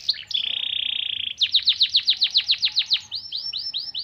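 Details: Canary singing a song laced with white-eye (pleci) phrases, meant to rouse other birds: a short sweet note, a steady buzzy trill for about a second, then a fast series of bright downward-sweeping whistles, about four per second.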